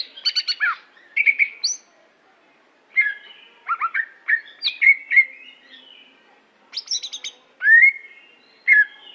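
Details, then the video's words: Greater green leafbird, Aceh variety, a prize-winning songbird, gives clusters of fast stuttering notes and twisting whistles separated by brief gaps, ending with clear downward-slurred whistles. "Cucak Hijo Aceh Prestasi"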